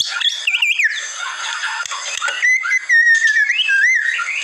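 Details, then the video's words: White-rumped shama song from masteran training material: wavering whistled warbles, then a long sustained whistle with gentle pitch bends and short upward slides. "Masteran Murai Batu"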